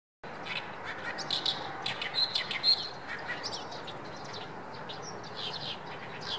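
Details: An Oriental reed warbler at a rice paddy in May sings a loud, harsh, grating chatter of rapid croaking notes, about two per second, over a steady background hiss.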